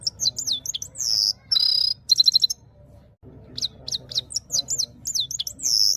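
A red-fronted serin sings a fast, high twittering song of sliding whistles, buzzy notes and quick trills, pausing briefly halfway before resuming.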